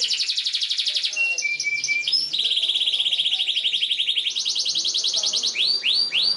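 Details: Long nonstop canary song used to tutor young canaries: a rapid buzzy trill, short whistled notes, a long fast rattle, then loud upswept chirps repeated at the end.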